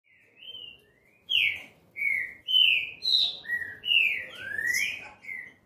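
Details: A Green-winged saltator (trinca-ferro) sings its classic song, a loud run of rich, slurred whistles, some rising and some falling, about one phrase every half second, after a faint opening note.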